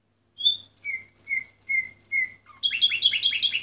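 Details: Canary of the Orpheus breed, number 24 of 2014, opens with a clear whistled note, then repeats a two-part tone about twice a second, then breaks into a fast, dense rattling trill; a low hum runs underneath.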